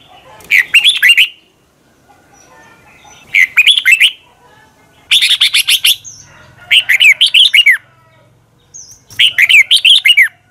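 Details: Red-whiskered bulbul giving a long double twisted-voice morning song used to train other birds; five lively bursts of rapid warbled, slurring notes every two to three seconds, with a soft low hum between phrases.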